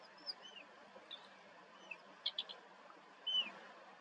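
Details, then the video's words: A fully fledged young Sandwich tern throws a begging tantrum at adults that ignore it, giving thin, high, squeaky begging notes, short and irregular, some in quick pairs, over a steady background hiss. "La pataleta del charrán"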